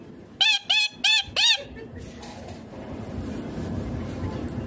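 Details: Four quick, raspy screeches from a ringneck green parrot, then the calling stops and a steady low background rumble takes over.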